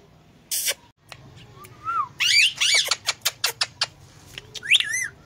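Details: Indian ringneck parakeet mimicking a cat's meow indoors, a burst of noise, a short whistle, then a run of clicky notes and curving meow-like cries.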